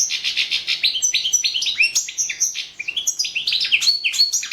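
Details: European goldfinch, Carduelis carduelis balcanica, recorded for a world championship singing contest held online: dense, fast tinkling song mixing buzzy rolls, sharp upward whistles and liquid chirps without pause.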